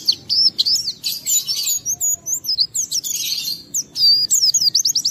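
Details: Oriental white-eye in full song, used as a lure to provoke other white-eyes into singing: a fast, nonstop stream of high twittering notes and thin rising and falling whistles, bright and dense throughout.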